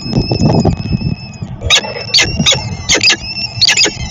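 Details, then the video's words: Peregrine falcon during feeding at Dream Jump, Szczecin, Poland, 22 April 2021: a long whining call with rich overtones, then short bursts of harsh, scratchy chatter repeated in quick clusters over loud low rumble and knocking. "Sokół wędrowny--Szczecin - Dream Jump 22.04.2021--karmienie."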